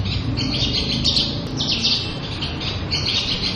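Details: Javan bush lark, a keepers' favourite now scarce in the wild, pours out continuous high scratchy buzzing phrases over constant low rumbling noise.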